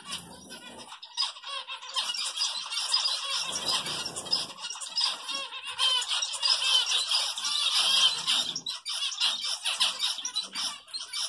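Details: A group of zebra finches (Taeniopygia guttata) chatter with rapid, nasal, high-pitched beeps and squeaks while eating home-made egg food.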